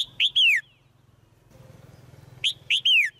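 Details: A female white-eye kept in a cage gives chirp calls meant to make the male sing louder: two bursts of three notes, each ending in a falling slur, with a low hum between.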